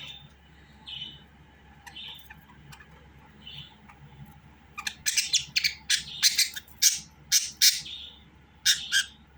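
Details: Budgerigar starting with a few soft spaced notes, then breaking into rapid loud chattering bursts of harsh high chirps several times a second, with a steady low hum behind.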